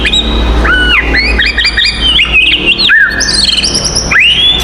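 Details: Oriental magpie-robin singing its fighting song to provoke rivals: clear whistled notes with arched slurs, quick rising sweeps and scratchy high chirps, steady and continuous, some low background hum.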